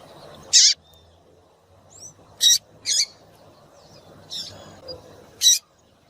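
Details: Female Double-collared Seedeater call, used to stimulate males to sing: five short, sharp, high chips spaced irregularly about a second apart, with a faint thin whistle between them over a low background hum.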